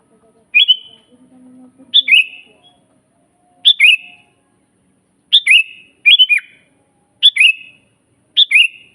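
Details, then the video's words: Sooty-headed bulbul singing as a training master: bubbly two- and three-note whistled phrases, each with a high note sliding lower, spaced one to two seconds apart, with a faint low hum early on. "suara burung kutilang GACOR asli paling banyak dicari buat masteran"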